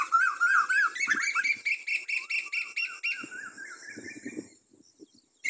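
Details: Asian koel (Eudynamys scolopaceus), song.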